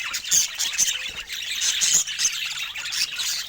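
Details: Pet budgerigars squawking and twittering loudly, a few clear piping whistles rising above the rough, continuous high chatter.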